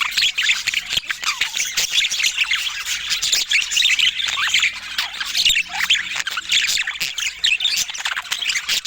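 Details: Several budgerigars, shown amid balanced fruit and healthy food, keep up busy warbling chatter: quick squeaky notes and scratchy chirps crowd together, with a few longer swooping whistles standing out near the middle.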